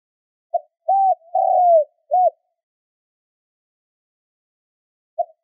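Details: Spotted dove lure call for drawing in wild birds: one phrase of a short coo, an arched coo, a long downward-sliding croon and a brief closing coo, followed by silence and the start of another.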